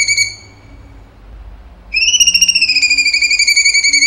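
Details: Cucak cungkok singing actively in a long-burst style: a short fading note, a pause, then a loud, buzzy, rapidly trembling whistle that drifts slightly downward.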